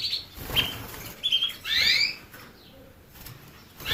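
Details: Singing canary gives a short flat whistle, a rising slurred phrase and a loud sweeping upward note, with faint clicks and rustles behind.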